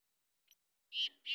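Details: A free-roaming black francolin gives a faint short note, then two loud, harsh, grating notes in quick succession, cut off at the end; otherwise quiet.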